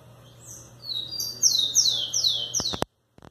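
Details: Rufous-collared sparrow song: a few thin whistled notes followed by a series of four high, sharply descending slurred notes, over a steady low hum, ending in a couple of sharp clicks.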